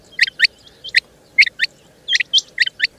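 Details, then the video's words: Rapid couplets of sharp, clicking double notes from a female rain quail, locally chinga batair, repeated several times within a few seconds. "Rain Quail Calling | Chinga Batair Ki Awaz| Female Rain Quail"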